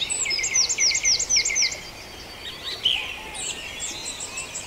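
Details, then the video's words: Dawn chorus recorded at Farndale: one bird repeats a bright, regular ringing phrase about four times a second, then pauses while quieter high trills and chirps from others continue. "Dawn Chorus"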